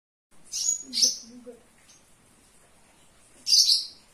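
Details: Javan bush lark singing vigorously indoors. A few sharp, very high chirps, two close together and one more after a pause, with faint lower twittering between them.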